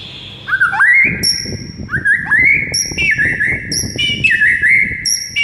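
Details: Morning White-rumped shama masteran: clear whistled phrases that swoop upward and hold, paired with piercing very high tones, repeated roughly every second.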